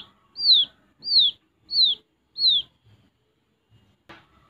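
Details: Hand-reared young wild quail chick, Kediri. Four clear, high, falling peeps spaced under a second apart, then quiet and a single short click near the end.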